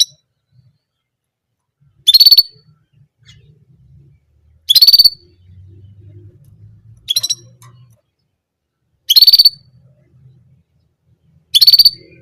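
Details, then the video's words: An orange German canary repeats just one song sound, a short, fast, pulsed high trill lasting about half a second, given five times at intervals of roughly two and a half seconds over a soft low hum. "Orange German Canary Singing Only One Sound Of Singing"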